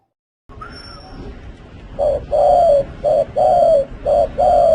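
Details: Spotted dove from a 2020 collection of the best cooing voices: after a quiet start, mellow low coos come in alternating short and long notes, clipped and rhythmic, over steady high thin tones.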